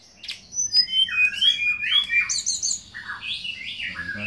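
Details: Vigorously singing hill blue flycatcher delivers a continuous, varied stream of sweet whistled phrases, rising and falling slurs with short trills, running without pause for four seconds.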